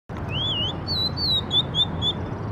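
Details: Bird singing in the morning: a rising, slurred whistle followed by a quick run of short, bright whistled notes that step slightly downward, over a steady low background rumble.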